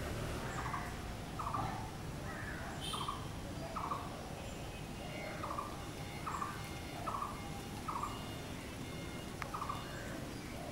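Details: Blue-throated barbet delivering a long run of short, burry, repeated notes, roughly one every 0.7 seconds, accompanied by other softer bird notes and a brief sharp high chirp early on.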